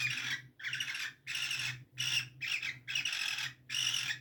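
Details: In spring, a cockatiel (Nymphicus hollandicus) gives a run of harsh, raspy squawks in quick succession, each about half a second long.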